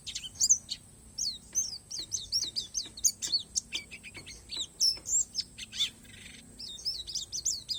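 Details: Oriental white-eye, the pleci palas of Borneo, in an 'isian alam' song: quieter but steady high chirps and curled notes in quick succession, with a brief buzzy patch, over faint background noise.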